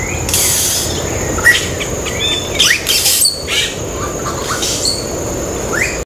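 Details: Yellow-rumped cacique on Ilha de Comandatuba, Bahia, Brazil, 12 October 2013: a busy run of varied notes, with quick upslurred whistles, scratchy squawks and bright noisy bursts, over constant background hiss.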